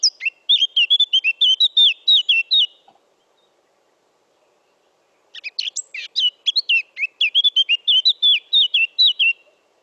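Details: Eurasian Blackcap song in two bursts separated by a pause, each a rapid run of varied, slurred warbling notes ending in clearer whistled phrases; quiet background.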